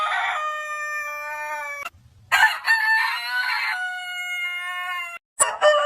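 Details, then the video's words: Rooster crowing. The first crow ends in a long held tone, then a short break, then a second crow with a rough, harsh opening and a steady drawn-out close. A third crow begins at the end. "Suara Ayam Berkokok Panjang Ayam Jantan Berkokok Rooster Crowing"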